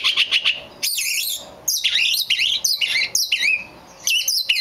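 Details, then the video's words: A black magpie robin, described as very rare, pours out loud, complex song phrases of warbling, sliding whistles and chattering notes in several bursts with short gaps between them. "The rare black Magpie Robin"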